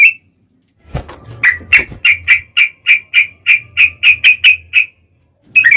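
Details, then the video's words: Sooty-headed bulbul in long ropel song used as a lure for other bulbuls: a steady series of about fifteen evenly spaced clear whistled notes, each short and slightly slurred, with faint low rumbling beneath. "trucukan gacor ROPEL PANJANG pancingan trucukan agar bunyi"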